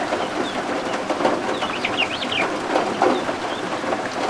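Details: Baby guinea fowl keets, newly hatched and sheltering under a heat lamp, give a cluster of rapid high wavering peeps midway, with a few single chirps before and after, against a background of falling rain.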